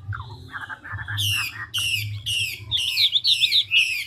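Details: Chinese hwamei, a big forest-caught 'ngũ trường' bird, singing fast with rapidly switching voices: soft warbled notes give way to loud harsh buzzy bursts mixed with whistled slurs, repeated several times a second over a low steady hum.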